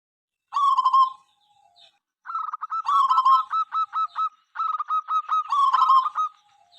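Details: Cooing song of a local zebra dove that sings through morning, noon and night and draws rival birds into calling; long rolling coos alternate with rapid strings of short staccato notes in a clear, quiet setting.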